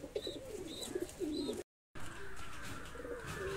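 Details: Loft-kept fancy pigeons coo in short, low, rolling phrases, then a brief break before softer, steady murmuring coos resume against a faint background hum.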